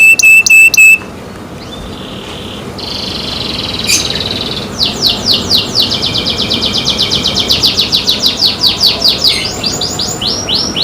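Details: Canary in its keepers' care: a few sharp metallic notes, a quiet gap, a soft buzzy note, then a long loud rolling trill of rapid high pulses, repeated several times a second, ending in descending slurs.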